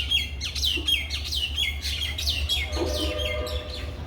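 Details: Myna chirping in a Bangladeshi village: quick, bright, downslurred chirps repeated about twice a second, with several birds overlapping over a steady low hum.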